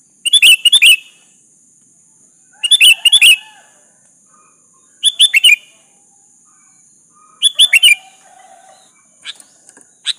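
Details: Lively sooty-headed bulbul calling to provoke a rival's reply, a lure recording: four brisk phrases of tumbling, bubbly whistled notes about every two and a half seconds, a few faint softer notes near the end, constant thin high hum throughout.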